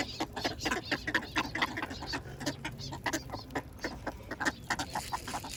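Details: Ducks being fed bread, chattering with rapid, short quacking and clucking notes that overlap in an irregular, continuous feeding babble.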